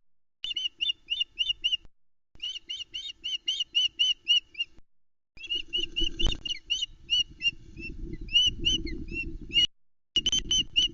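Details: Female osprey at a Loch Arkaig nest, hungry and calling as her mate delivers a trout, late morning of 21 May 2020, on a nest cam. Long bursts of sharp, high chirps, several per second, broken by brief gaps, with gusty wind noise and a thump.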